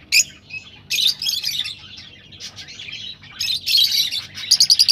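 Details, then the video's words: Rosellas singing, a recording played to stimulate kept birds to breed: bursts of high, sharp chirps and squeaky warbles separated by quieter chatter, ending in a fast run of five evenly spaced bright notes. "تغريد طيور الروز ( حفز طيورك )"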